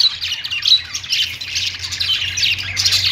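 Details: Pet budgerigars singing on a perch: continuous scratchy, chattering warble of squeaky high notes and short whistles, rising and falling without pause, over a steady low hum.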